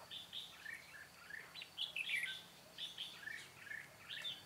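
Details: Red-whiskered bulbul singing during a bird-trapping session on 13 March 2017, a decoy calling to lure wild birds; quick bursts of bright, warbled whistled notes, rising and falling, repeated in short phrases every half second or so.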